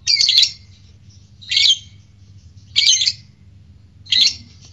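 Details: Fighter lovebird, recorded as a provocation to courtship and singing; four rough, grating high squawks, each about half a second long, spaced over a second apart.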